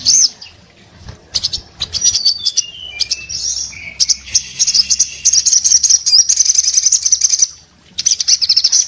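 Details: Orange-headed thrush, breeding condition, singing a long, rich medley: stepped descending whistles, a sustained high rattling trill for several seconds, a brief pause, then the trill resumes.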